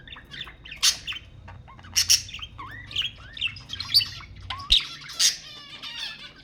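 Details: Budgerigar warbling to prompt breeding: rapid scratchy chirps, buzzy squawks and short rising whistles, tumbling together in a lively, uneven stream.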